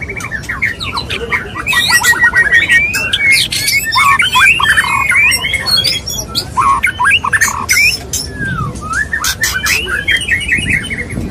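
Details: Courting male white-rumped shama calling to a female: harsh squawking chatter mixed with fast rattling notes and looping whistles, loud through the middle and quieter near the end, with repeated sharp clicks.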